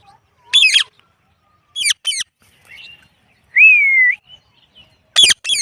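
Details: Indian ringneck parrot giving sharp high chirps, then a long clear whistle that slides gently downward, then more abrupt high calls, with silence between the sounds.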